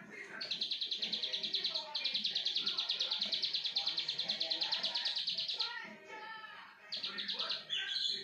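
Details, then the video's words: Plain prinia singing in full vigour, a fast run of buzzy, clipped notes repeated about three times a second, pausing briefly near the end before resuming, with faint lower chirps beneath. "CIBLEK SAWAH BRENN 2 MENIT"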